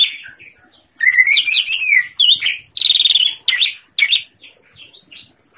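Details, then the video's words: Master recording of a greater green leafbird, played to get silent birds singing, with vigorous whistled phrases, rattling buzzy bursts and sharp chips in quick succession, fading to soft notes at the end. "Masteran Cucak Ijo Gacor l Yang Macet langsung nyaut"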